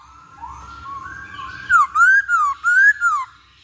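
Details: Masked laughingthrush song played as a lure for quick singing: soft rising whistles, then four loud, clear whistled phrases, each swooping down and then up, in a steady rhythm.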